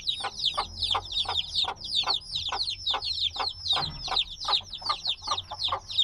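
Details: Noisy group of newly hatched black chicks, still dependent on the mother's warmth, giving rapid high descending peeps in overlapping bursts, with regular lower knocking sounds about every half second.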